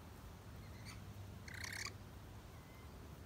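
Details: Rainbow lorikeet feeding on nectar in a red flowering gum in Melbourne in January (summer) gives one harsh, grating screech after a fainter brief squawk, over a steady low rumble.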